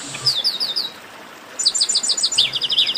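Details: Chestnut-capped blackbird singing an esquenta-style song. High, sharp chirped notes in a quick series, then a pause and a second, longer burst of rapid, slurred twittering notes.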